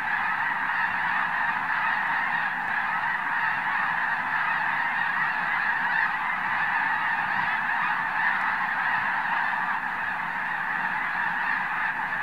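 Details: Thousands of Arctic white geese taking flight together at Summer Lake Wildlife Area, Oregon, produce a long, sustained roar of massed honking that stays loud and constant for over twelve seconds.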